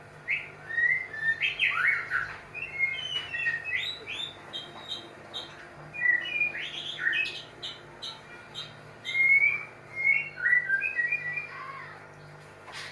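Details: Mating white-rumped shama pouring out a varied run of rich whistles, slurred notes and quick chips, phrase after phrase with short pauses, over a constant low background hum.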